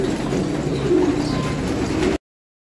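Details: A short burst of deep, overlapping coos from Filo pigeons, ending abruptly after about two seconds.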